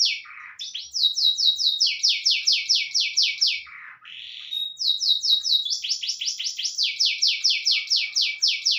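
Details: Kept panda canary carrying white-rumped shama material in its song, delivering long runs of rapid repeated descending notes broken by a lower buzzy slur, then resuming the fast trill.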